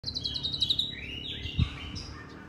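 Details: White-rumped shama in contest training, practising at intervals to build confidence: a rapid series of about eight high, clipped notes, then slurred whistles rising and falling, with a dull thump behind.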